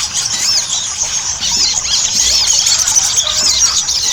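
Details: Ruby-cheeked sunbird chattering, played as a lure so other birds start singing: rapid overlapping squeaky chirps and curved high whistles, busy and unbroken throughout.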